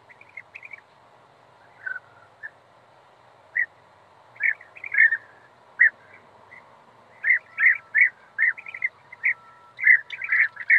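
European bee-eater giving short, rolling, liquid 'prruip' calls in irregular bursts, clustering more densely toward the end; a faint steady hum sits beneath.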